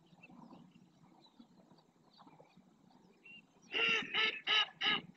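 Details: Several greater flamingos in the El Rocío marsh of Doñana National Park, Spain, performing a group display dance: stretching necks, jerking heads, flicking wings and splashing. A soft background murmur gives way to four loud, nasal, goose-like honks in quick succession.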